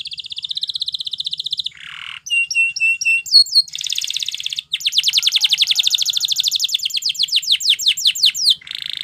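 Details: Belgian canary singing as a training song for other canaries: a rapid high trill, a brief lower buzzy phrase, clipped repeated slurred notes, then a long, fast series of sweeping notes in quick rolls before a final lower tour.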